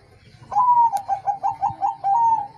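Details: Zebra dove of the Bangkok type answering a lure recording: a rising cooed note followed by a quick run of about five bubbling coos, then a long drawn coo, with a low steady hum underneath.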